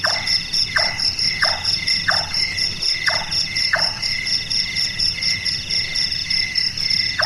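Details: Burung tukang, the Large-tailed nightjar active after dark, repeats a wooden knocking note about every 0.7 seconds, five in a row then one more after a gap, while shrill insects buzz continuously.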